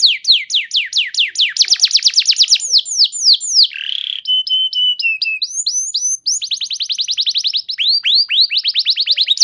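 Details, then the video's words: Canary singing to prompt other canaries to respond: long fast series of descending sweeps, a brief harsh buzz, level whistled notes, then renewed quick trills of downslurred notes. "Pancingan Burung Kenari Macet Bunyi! Ampuh Bikin Kenari Lain Langsung Respon Terpancing bakal Gacor"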